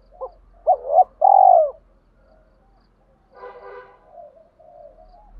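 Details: Spotted dove giving its luring coo to draw wild doves in: a short note, a quick double coo and a long rolled falling coo, followed by softer muffled cooing over a low background hum.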